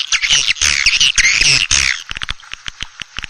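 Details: Swiftlets chatter in dense, high twittering chirps for two seconds, then give quick dry clicking ticks at an uneven pace; a call played to lure swiftlets into a swiftlet house.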